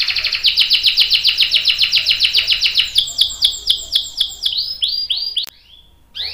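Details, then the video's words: Canary singing a long roll meant to spur and teach young and adult canaries: fast regular pulsed trill slowing into spaced downswept whistles, a short quiet gap, then a rising whistle. "KENARI GACOR NGEROL PANJANG"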